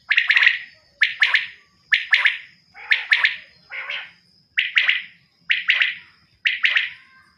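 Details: Repeated clipped chirp clusters from a female common quail, roughly one burst per second over several seconds, each with two or three bright notes and a rough tail, alongside a constant thin electronic-sounding whine.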